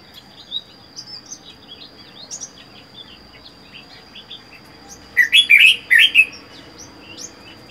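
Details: Caged red-whiskered bulbul, wild-caught and kept alone for four months; soft scattered high chirps for five seconds, then a loud burst of two quick warbled, rising-falling phrases near the end, with a steady faint background tone.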